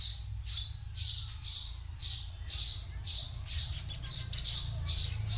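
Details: A male Javan bushlark aged four years gives a string of short, high whistled notes at an uneven pace over a steady low hum of background noise.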